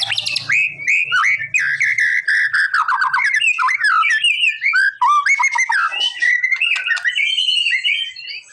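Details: White-rumped shama singing to provoke a response from a reluctant bird: an extended stream of varied whistles, chattering trills and slurred notes, loud and nearly unbroken, with a faint low hum early on.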